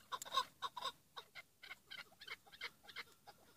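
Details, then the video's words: Chukar partridge giving the 'pat' call type, as used in tethered decoy partridge hunting: quick, harsh clucking notes repeated about four per second, loud at first, then softer and steadier, over a quiet background. "keklik sesi dinle sadece pat"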